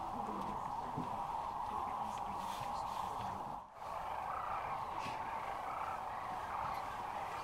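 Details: A huge flock of sandhill cranes at the Iain Nicolson Audubon Center, Rowe Sanctuary, Nebraska, in March 2014, making a continuous rattling roar of overlapping calls with faint human voices underneath and a brief dip midway.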